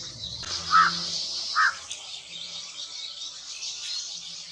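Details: Cotton pygmy goose in India giving two short, nasal, mid-pitched calls under a second apart, over a steady high hiss like insects or wind.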